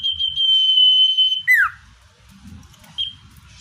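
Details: Common iora, natural lure recording for wild birds: the tail of a long, steady, high whistle drops into a sharp descending slur. A short whistled note follows amid a soft low background rumble.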